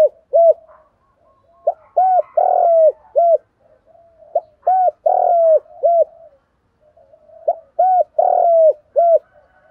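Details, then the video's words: Spotted dove decoy bird calling in the morning to lure others, a low hollow cooing phrase of about four notes, the third longer and rougher, repeated three times at intervals of roughly three seconds, with faint soft murmurs between phrases. "tiếng chim cu gáy mồi gáy gọi buổi sáng"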